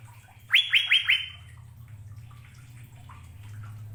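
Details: Asian fairy-bluebird from Indonesia: three quick, loud, upslurred whistled notes in a short burst, followed by quiet and a steady low hum in the background.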